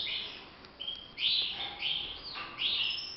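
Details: European goldfinch kept in a cage for song training, giving high twittering phrases mixed with a flat steady whistle and quick down-slurred notes, delivered in clustered bursts.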